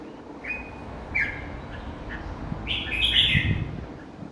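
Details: Caged red-whiskered bulbul with brief whistled notes early on, then a fuller burst of chirpy, slightly buzzy phrases near the end, with low rumbling background noise throughout.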